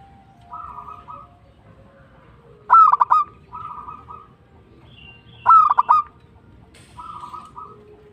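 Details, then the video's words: Zebra dove, local bird, singing actively in tumbak cucukan style: two loud staccato coo phrases roughly three seconds apart, alternating with softer rolling trills from other doves. "PERKUTUT LOKAL GACOR TUMBAK CUCUKAN ASLI"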